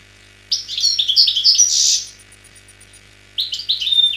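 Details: Pure wild (khalwi) song of an Algerian European goldfinch, recorded in 2003: a rapid, tinkling run of liquid twitters and buzzy notes high in pitch, pausing about a second, then starting again.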